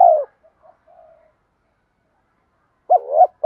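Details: Spotted dove with a 'đồng pha' voice, cooing to lure wild doves: one mellow falling coo at the start, faint soft notes, then a quick two-part coo near the end.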